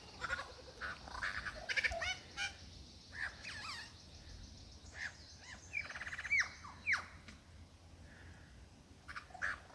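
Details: Male superb lyrebird, Dandenongs, singing his varied mimicked repertoire to a female: scattered chirps and rattles, a brief buzzy trill, sharp downslurred whistles, then quieter isolated notes in a calm forest setting.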